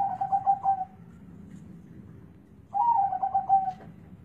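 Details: Zebra dove, noted for its deep, bass-heavy voice, giving two phrases of quick throbbing coos, each rolling burst about a second long and ending in a sustained purring note, separated by a short gap.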